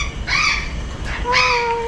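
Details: Salmon-crested cockatoo at Jurong Bird Park, Singapore, on February 14, entertaining visitors: two harsh, raspy squawks about a second apart, the second settling into a steadier, drawn-out tonal note, over a low background murmur.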